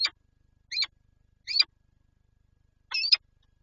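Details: At the Lublin nest site in Poland, 19 March 2022, with eggs present, a Peregrine falcon gives four strident, scratchy calls spaced under a second apart, the last one longer.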